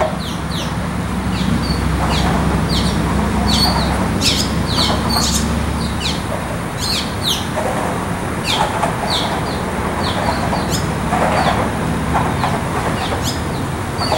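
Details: Barn Swallow (Hirundo rustica) chicks in a nest, waiting eagerly for food, give a busy stream of short, high, scratchy chirps, irregular and overlapping, over a steady low rumble like a passing vehicle.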